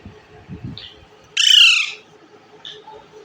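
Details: Pet green Indian ringneck parakeet eating bread gives a single loud, grating squawk lasting about half a second, preceded by faint chirps and low rustling, with a quiet hum behind.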